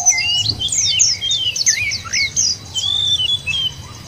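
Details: White-eye lure song to make caged birds sing, sparse and scratchy: brief high squeaky notes and a few longer thin whistles, with short gaps of near quiet.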